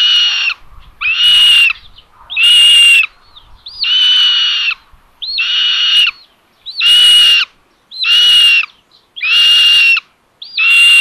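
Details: A nest camera in Tiszalök, Hungary, films common buzzards on 27 May 2022 while the mother feeds the third chick. Nine rasping, flat, strained calls follow in steady series, each under a second long, separated by short quiet gaps.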